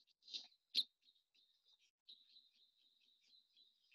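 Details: A Chirping Cisticola in Namibia, whose unique call sounds like chirping, gives two sharp, high chirps followed by a run of faint, quick twittering notes at a steady high pitch.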